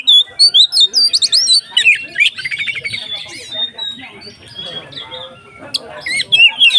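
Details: White-rumped shama in nonstop song, meant to excite other shamas into singing: loud, rapid whistled and rattling phrases with looping pitch slides, briefly softening midway before rising again.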